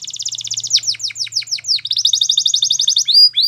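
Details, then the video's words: Belgian canary singing for training young canaries: a quick trill leads into steep descending whistled slurs, a rapid even rolling trill, and clear sweeping whistles, with a faint low hum. "Make Your Canary Singing Like Champion | Belgian Canary Song"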